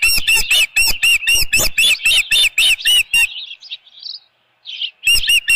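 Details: Osprey at its Dunrovin Ranch nest with a headless fish, evening of 10 June 2018: a fast series of sharp, high whistled chirps, then a brief pause with softer notes, before the loud chirping resumes.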